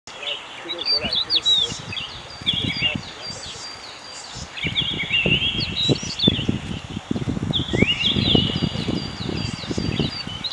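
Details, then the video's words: Common stonechat giving high, scratchy chirps and short twittering phrases in bursts every few seconds, over low rumbling wind and what may be faint voices. "Common Stonechat"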